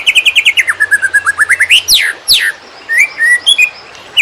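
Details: Greater green leafbird singing, recorded for tutoring other birds: rapid repeated whistled notes dipping then rising, two sharp descending sweeps, then scattered short whistled slurs.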